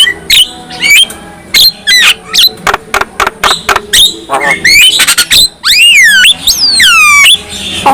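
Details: Black-winged myna song said to set other mynas singing: rapid squeaky chips and clicks, then long downslurred whistles repeated about once a second, bright and loud.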